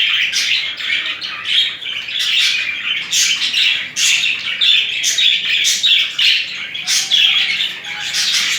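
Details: Budgerigars mating, with affectionate displays between the two birds; a busy run of scratchy chirps and warbled squawks, repeated bursts roughly every half second, indoors.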